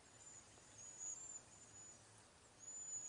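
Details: Cedar waxwings in a backyard flock, sharing berries and insects, utter two faint, level, very high-pitched thin whistles, the second near the end, against soft background noise.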